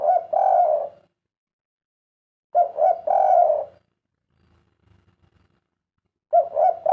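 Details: Repeated spotted dove cooing in the three-syllable 'kuk 3' pattern, with two full phrases about two and a half seconds apart. Each phrase has two brief hoots and a longer final coo. A third phrase starts at the end, with faint knocks between.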